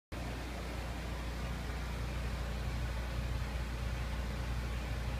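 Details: Constant engine-like hiss and low hum fill the recording from start to finish, with no animal sound.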